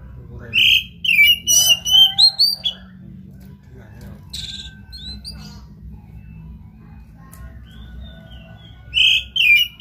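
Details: Oriental magpie-robin in full, lively song used to provoke another bird into singing: loud whistled phrases with rising and falling sweeps, a quiet gap mid-clip, then a fresh burst of bright whistles.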